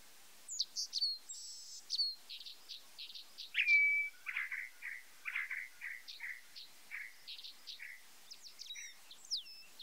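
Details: White-browed meadowlark song made of high whistled slurs, one long steady whistle, then a run of short buzzy notes repeated at an even pace, closing with thin, rising and falling squeaks.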